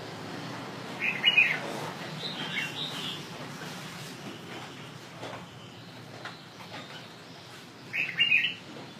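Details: Northern Vietnamese red-whiskered bulbul (Pycnonotus jocosus) song: two short, bright whistled phrases several seconds apart with a softer chirp between.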